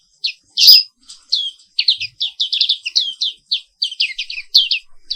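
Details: Black-capped white-eye (Pleci Papua Wiklus) giving a continuous morning song: a lively, unbroken stream of high twittering, downward-sweeping notes after one loud sharp note near the start.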